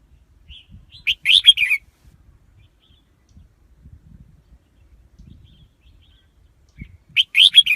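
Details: Lure red-whiskered bulbul for trapping wild birds, delivering a loud, lively warbled phrase of quick bubbling notes early on and another starting near the end, with faint chirps and low noise between.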